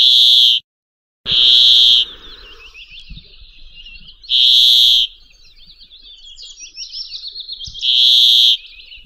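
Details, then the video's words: Brambling (pinzón real) gives loud, flat, nasal buzzes, each under a second long and repeated every few seconds, with quieter twittering from other small birds in between. "Canto Del Pinzón Real"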